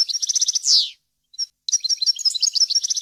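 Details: European goldfinch song, a clean, error-free recording meant for training young birds: rapid tinkling, twittering notes, a falling buzzy slur, a short pause, then more fast chattering trills.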